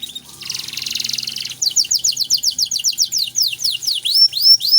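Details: Canary singing continuously in luxurious 'cengkok mewah' style, meant for tutoring other songbirds: a dense buzzy rattle first, then a quick run of sharp descending chirps and a few upward-curving whistles.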